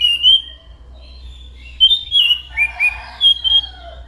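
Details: Anis macan thrush in full voice: a clear opening whistle, then a chain of slurred, warbled notes dipping and rising, ending in a long bright whistle.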